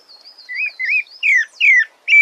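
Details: Sabiá thrush singing a series of rich, slurred whistled phrases, some rising and some falling, delivered in quick succession with brief gaps, finishing on a short steady whistle; a faint thin high whistle runs behind.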